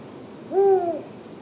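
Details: Arabian eagle-owl chick recorded in Tanomah governorate: a single smooth, hooting note lasting about half a second, rising slightly then gently falling in pitch, over faint background hiss.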